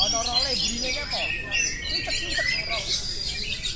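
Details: Continuous ngerol song of an oriental magpie-robin, with bright high warbles and quick chirps running together, brief lower wavering notes early on, and constant faint hiss.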